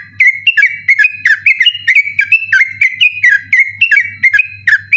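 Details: At night a sooty-headed bulbul delivers insistent 'ropel' song meant as a training recording for competition birds: an unbroken run of clear, chirpy whistles, rising and falling in quick steps, with a faint background hum.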